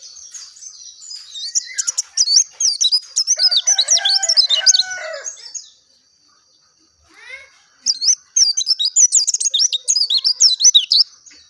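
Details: Pleci dakun, the oriental white-eye, sings a clear, fast, high twitter in two bursts. A pause of about two seconds separates them, and lower harmonic notes sound briefly in the first burst.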